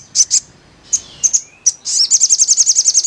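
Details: Crimson sunbird singing, played as therapy to get a bird singing: high thin sharp chips, a few sliding notes, then a fast even trill of repeated notes.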